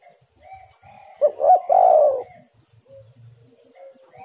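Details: One spotted dove coo phrase for luring birds, with quick double notes and a drawn-out hoarse coo, framed by soft faint whistles and low rumbles.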